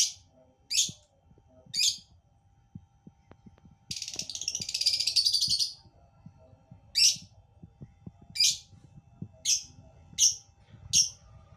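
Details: Lovebird uttering sharp, high squeaky chirps at irregular intervals, with a burst of dense raspy chatter lasting about two seconds near the middle, against a faint low background hum.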